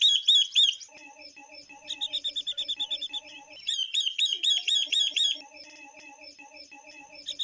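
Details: Female Chinese hwamei, kept to excite males, singing alongside another female songbird: bursts of quick, bright, high chattering notes alternate with a quieter, lower, evenly spaced repeated phrase underneath.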